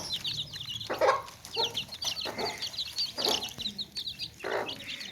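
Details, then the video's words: Chicks chirp nonstop in a basket while hens cluck: thin high peeps in a steady chorus, broken by rough, throaty clucks roughly every half second to second. "Baby Chicks Chirping Sounds In Tokri | Chicken's Chicks Sounds and Chickens Clucking Sounds"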